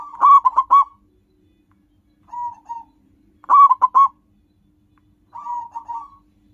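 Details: Local Zebra dove, used to lure wild birds, alternating loud, rapid cooing bursts with quieter short phrases, repeated twice over about six seconds with silent gaps.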